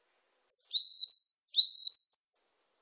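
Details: Varied tit singing: clear, thin whistled notes alternating high and lower, a sharp high note dropping to a longer lower whistle, repeated in pairs, in clean silence without other sounds.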